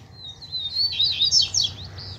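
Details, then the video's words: Double-collared seedeater in wild scrubland with a calling chick present; one continuous high warbled phrase starting with a thin whistle and breaking into rapid, jumbled twitters, over a soft low rumble. "COLEIRO NO MATO TOP ATÉ FILHOTE PIANDO APARECEU!!!"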